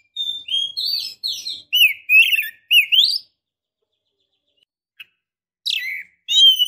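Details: Female Oriental magpie-robin calling for a male while in breeding condition. A string of about eight whistled phrases, each with a rising slur, then a quiet gap and two more whistled notes.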